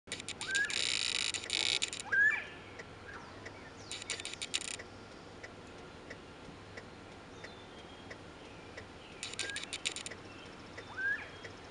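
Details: A lone quail singing at the side of a road gives a few sharp, rising calls several seconds apart, over a steady hiss with bursts of harsh, buzzy noise.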